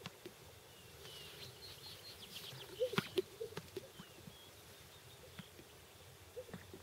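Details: Greater sage-grouse in Wasatch County, Utah, on April 29, 2013, giving soft, low gulping notes and a few sharp pops, strongest around the middle, with thin chirps of other birds and light wind behind.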